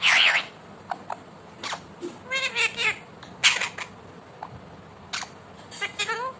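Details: Pet Indian ringneck parakeet talking indoors: short harsh squawks mixed with several quick, rising and falling speech-like phrases, with a loud burst at the start and quieter clipped calls between.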